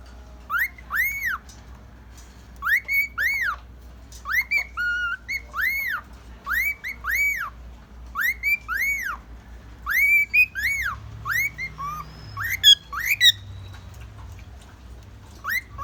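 A male cockatiel whistles clear, arched notes in quick pairs, repeating about every second and a half.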